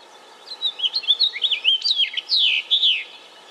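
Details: House finch singing a rapid, warbling run of high twittering notes that swoop up and down, with several slurred downward notes near the end, over a faint steady background hum.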